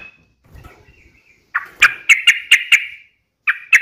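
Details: Sooty-headed bulbul, called a lively, sharp singer, giving a quick string of about five loud, harsh chirps after a quiet start, then two more notes near the end.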